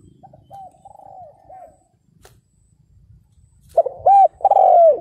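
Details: Soft, distant dove coos over low rumble, then the decoy spotted dove breaks in loudly with short hoots and a long descending coo, calling to lure wild males.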